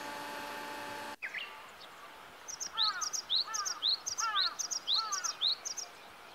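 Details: Japanese Tit singing on a sunny spring day along a river in Kita-Harima, Hyogo, Japan: quick, bright, rising slurred notes about twice a second, with high thin chips overhead and a brief hum at the start.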